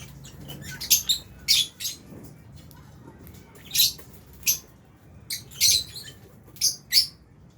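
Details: Lovebirds of albino and Fisher's types feeding together with budgies in an aviary; repeated short piercing chirps, single and paired, spaced roughly every half second to second over a quiet background.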